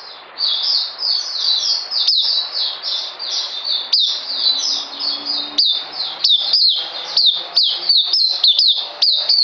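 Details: Sustained high chatter of an oriental white-eye, or puteh: rapid, overlapping squeaky notes form an unbroken ribbon of song, sharpened now and then by snappy ticks.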